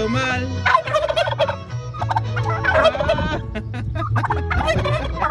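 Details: Domestic turkeys gobble back at a man singing loudly to them nearby, giving rapid, bubbling gobbles in several bursts.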